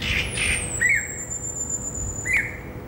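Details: Greater racket-tailed drongo singing on a Saturday afternoon in a herb garden, 16 December 2017: a harsh squawk opens, then a long thin whistle slides slowly downward while short mid-pitched rising notes are dropped in twice.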